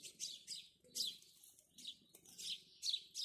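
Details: House sparrows in the morning giving short, harsh chirps in bursts about every half second, several overlapping, with a faint low hum beneath.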